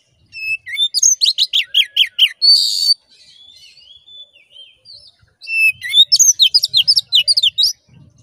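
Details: Oriental magpie-robin bait song meant to provoke another magpie-robin into aggression and vigorous singing: rapid strings of sharp, high, chattering notes, a harsh buzzy burst, soft thin whistles, then another long fast run of clipped piercing notes.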